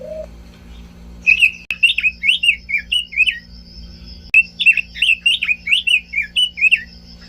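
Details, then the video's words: Robin singing two similar phrases of rhythmic, slurred whistles repeated in quick succession, separated by a short gap, preceded by one low whistle; faint hum present. "kicau burung robin"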